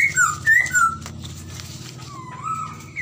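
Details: Chinese hwamei in song; a few clear whistled slurs at the start, then a softer drawn-out rising whistle over a persistent low humming background.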